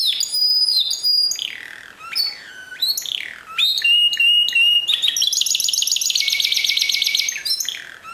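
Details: Timbrado canary of the discontinuo song style: a dense run of varied whistled notes and sliding phrases that lead into a long, rapid metallic trill, followed by a few more bright notes.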